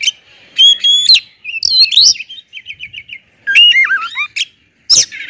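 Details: Loud Oriental magpie-robin song meant to draw other kacer into singing: clear whistles, a short series of rapid trilled notes, then a dipping, wavering whistled phrase and a sharp closing note.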